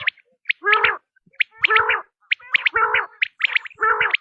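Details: Quail repeating grating, nasal calls roughly every second, each introduced by a sharp high whistled note.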